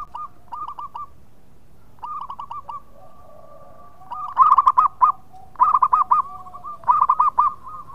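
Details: Local zebra dove, used as a lure for birds in breeding mood, giving loud, clear cooing: phrases of rapid rolling coos followed by a drawn-out tone, repeated several times with overlapping calls from another dove.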